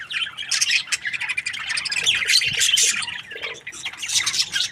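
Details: Happy budgerigars keep up a steady stream of rapid, overlapping high chirps and warbling chatter, bright and scratchy, with a few louder squawky notes mixed in throughout.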